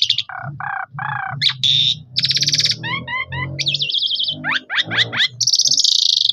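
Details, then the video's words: Asian pied starling, captured with a phone camera, singing to coax other starlings into full song: varied phrases mixing mellow low whistles, harsh buzzy rasps, repeated forked chirps, steep rising whistles and a closing high buzzy trill. "Burung Sederhana Ini Bisa Mengajak Burung Jalak Suren Lain Ikut Gacor Terus"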